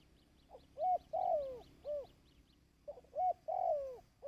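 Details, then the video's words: Dove cooing for training decoy birds, 2024: two phrases of short hoots and a long coo sliding down, while a rapid series of thin high ticks runs behind the first phrase. "Tiếng Chim Cu|Kích Bổi ( Tập Mồi )"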